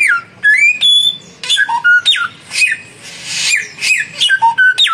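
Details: Samyong birds, a young bird and a mature one, in a singing duel. Loud whistled notes slur down and up, mixed with sharp buzzy bursts, in quick phrases about every half second.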